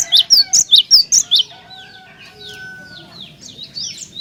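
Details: Cinereous tit singing to spur other tits into song, a quick run of seven bright, high, ringing double notes, then softer scattered chirps and a thin steady whistle in the background.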